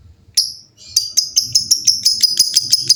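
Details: Lovebirds in full song, many birds noisily answering each other: after a brief shrill note, a fast series of sharp, high chirps runs at about six per second. Soft low rumbling sits underneath.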